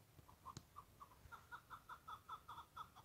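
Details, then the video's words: Wild chukar partridge recorded outdoors as it was heard: a run of short, clipped chuck notes repeated about five times a second, growing slightly louder and more emphatic as the series goes on, over a faint low rumble. "Keklik sesi"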